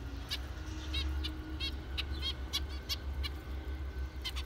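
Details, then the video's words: Zebra finches giving a rapid series of short, nasal, harmonic-rich beeping calls, irregularly spaced and sometimes overlapping as if from several birds, over a steady low hum. "Zebra finchs"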